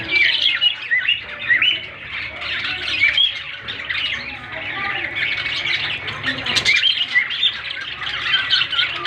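A male cockatiel chatters in a busy stream of squawks, chirps and short whistled notes.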